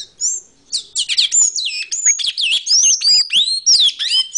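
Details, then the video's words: Tanager (sanhaçu) singing a rapid, squeaky run of high chirps and looping slurred whistles, with notes sweeping up and down through a high register and barely a pause between them; no other sounds. "CANTOS AFINADOS 01( SABIÁ COLEIRA CABOCLINHO SANHAÇU)"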